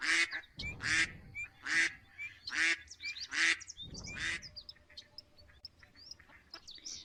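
Domestic duck giving loud, harsh quacks about once a second in a run of five or six, then quieter chatter and other birds.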